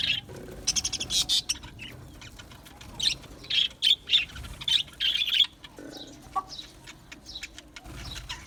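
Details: Budgies, small Australian parrots, giving rapid clusters of sharp, high chirps and scratchy twitters, busiest in the first five seconds and then thinning to scattered softer notes over low background noise.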